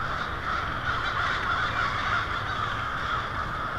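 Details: Swarming American crows roosting for the night along a Lansing, Michigan avenue in early February 2016; a steady, grating chorus of innumerable caws.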